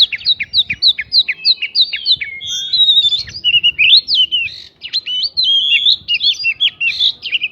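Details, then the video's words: White-rumped shama song meant to provoke a reply from other birds: a rapid run of repeated short chips, then long varied whistled phrases with rough, squawky notes. "PANCINGAN KACER BIKIN EMOSI ISIAN PRINJAK BIKIN BURUNG LAIN CEPAT RESPON GACOR"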